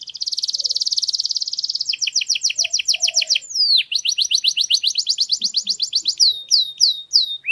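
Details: Singing canary used to train young canaries: a long, steady high trill shifts into a pulsed double-toned roll, then a swooping downslur and a quick series of rising notes. It ends with separate bright chips.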